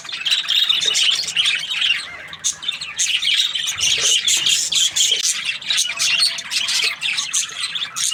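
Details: Budgerigar chirping, described as happy: steady buzzy chattering with bright squeaky notes, near continuous apart from a dip around two seconds, and a faint steady hum in the background.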